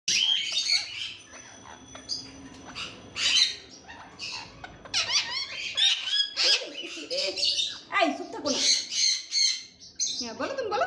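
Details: Rose-ringed parakeet (Psittacula krameri), talking.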